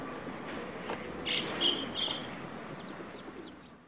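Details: White-cheeked starling at Shinobazu Pond, 8 March 2023, near sparrow feeding; background calls were overdubbed from starlings recorded long ago in Chikuma: three harsh, scratchy notes in quick succession over a steady outdoor murmur.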